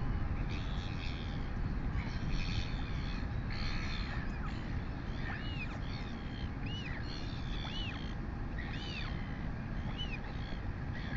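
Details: Female royal albatross chick being fed by its mother, late morning, 23 August 2020, New Zealand nest cam. Harsh chattering bursts are followed by a run of rising-falling whistled whines about once a second, under strong steady wind noise.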